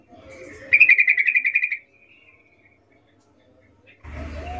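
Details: Wild sooty-headed bulbul, a lively natural recording used to prompt silent bulbuls to answer: a rapid burst of about ten bright, repeated chattering notes within one second, followed by quiet and a sudden rush of noise at the end.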